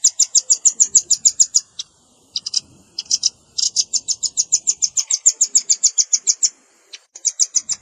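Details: Adult and juvenile velvet-fronted nuthatch calls combined for luring: long trains of thin, sharp chips at a quick even pace, broken by short pauses and a few stuttered bursts.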